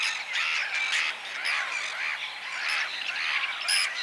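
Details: Harsh, grating squawks from whiskered terns in spring, repeated in quick, uneven bursts of about two per second. Several birds call over one another throughout.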